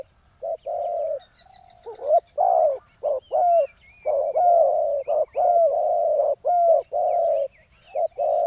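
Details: Ground decoy spotted dove luring a rival bird with a steady run of hoarse coos. Clipped notes alternate with longer phrases bending upward. High, thin whistles and chirps from other birds come through faintly.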